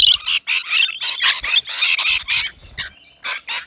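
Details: Rainbow lorikeets feeding at a balcony nectar feeder in Australia; loud, rasping squawks in short bursts of about a quarter second, clustered in the first two and a half seconds, then a brief gap and two final screeches.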